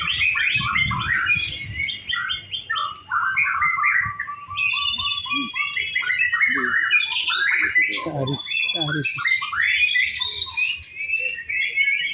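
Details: White-rumped shama singing in a practice singing contest in Indonesia: a loud, varied stream of rich whistles, rapid trills and sharp chirps sweeping up and down, with brief buzzy notes and faint low background noise.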